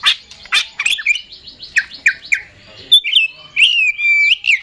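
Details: Oriental magpie-robin singing: sharp clicking notes, then a series of short repeated slurred phrases, ending with long clear whistled notes that hold steady and glide downward.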